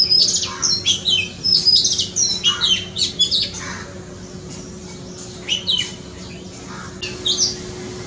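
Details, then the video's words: Oriental magpie-robin singing in a front yard: a rapid run of varied, clear whistles and sweet chirps for four seconds, then a pause and two brief whistled bursts; faint steady hum beneath. "Amazing sound of Oriental magpie-robin (धोबिनी चरा)"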